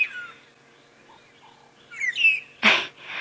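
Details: Two magpie shrikes (long-tailed shrikes), possibly a male and a female, trade clear fluty whistles in a quick call-and-response duet, one starting and the other finishing, ending in a short harsh burst; early morning safari drive, 25 September 2016.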